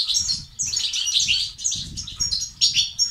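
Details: European goldfinch singing batbata and sastasat phrases to encourage male goldfinches to sing: rapid, high, liquid twitters and chirps in three or four tight bursts above faint low hum.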